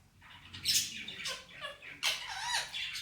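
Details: Pet male Indian ringneck parakeet talking, saying "Mitthu bete" and "Miya Mithu": a few short, harsh, broadband squawky syllables with bending vocal tones, spaced unevenly over about three seconds, in a quiet setting.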